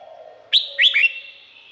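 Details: Red-whiskered bulbul from Thailand giving one brief whistled phrase of three rising then dropping notes that rings on afterwards, over a soft low hum.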